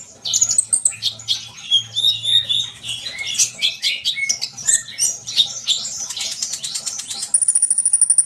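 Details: Sunbird song played to stir trainee birds into singing: a tumbling stream of high squeaky twitters and chatter, closing with a rapid, very high buzzing trill.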